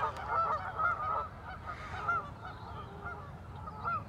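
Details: A flock of geese at a lagoon in Madison, Wisconsin, calls in rapid, overlapping honks, loudest in the first second, then quieter honks trailing off.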